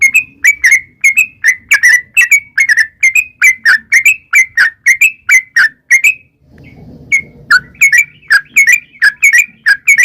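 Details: Sooty-headed bulbul song for luring wild birds to respond: a long series of quick, bubbling whistled phrases, a brief pause with low background rumble, then the phrases resume.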